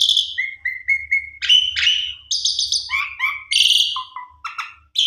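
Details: Black-collared starling in varied song for luring: a short series of flat whistled notes, then loud harmonic phrases, descending chatter, and low whistles interspersed with brief clicks.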